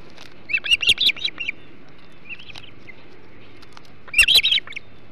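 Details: Ospreys eating a large flounder on their Hog Island nest, 21 July 2016, 08.05; rapid bursts of loud piercing whistled chirps, a soft pair of notes midway, then another intense burst.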